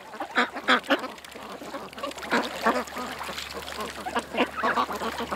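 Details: Ducks at a creek give spaced bursts of loud quacks, roughly every second or two, over a softer background of more calling ducks and a low hum.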